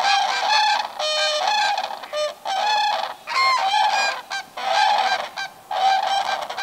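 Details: A flock of common cranes at a lake in summer 2019, among about 100 non-breeding birds that gather to spend the night on the shore, gives loud, rolling, trumpeting calls, several overlapping in near-continuous bursts of about a second each.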